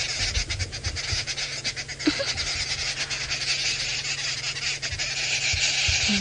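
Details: A group of Arrow-marked Babblers, among the noisiest local birds, gives harsh, rasping chatter in fast bursts, one calling and the rest joining in, on a sunrise drive in Djuma Game Reserve, Sabi Sand, South Africa, 24 February 2018; engine rumble underneath.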